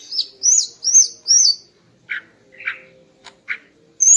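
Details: Female greater green leafbird in the morning, singing to stir a male's breeding urge: four high, clear arched whistles in quick succession, then lower rough chattering notes and a sharp click, ending on another high whistle; faint steady hum underneath.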